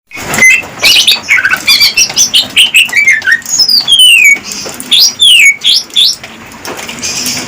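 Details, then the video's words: Greater green leafbird from captive breeding, singing to court a female and prompt her to mate; dense, fast song of varied sharp whistles and downslurred notes, tumbling phrases with brief gaps, faint low hum beneath. "suara burung cucak ijo merayu betina"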